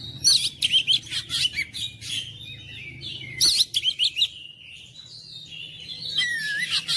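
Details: Provoking song of an oriental magpie-robin for stirring silent birds: energetic clusters of chirps, whistles and scratchy trills in two main bursts, separated by a softer, drawn-out whistled passage.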